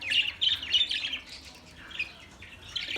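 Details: Chirping from an Australian parrot: a quick run of sharp, high chirps in the first second, then scattered softer notes.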